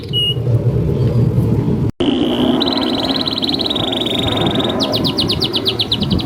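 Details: Canary master song meant to prompt young canaries and birds that stopped singing: after a brief break in steady noise, a long fast trill begins and shifts into quick repeated downslurred notes.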